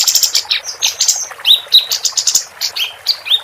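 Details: Female capped white-eye in lively song, a tutor recording for contest birds: rapid high twitters and buzzy notes, followed by a series of clear upslurred whistled chirps.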